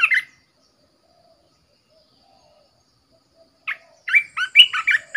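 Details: Red-whiskered bulbul, a caged decoy bird, opens with one sharp chirp, falls silent for about three seconds, then delivers a quick, lively phrase of loud, slurred whistles and chirps in rapid succession.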